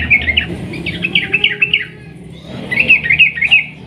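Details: Vocal yellow-vented bulbul in ropel panjang style, a lure to get other bulbuls singing. A jumbled, rapid bubbling phrase runs for nearly two seconds, pauses, then returns as a shorter rolling trill.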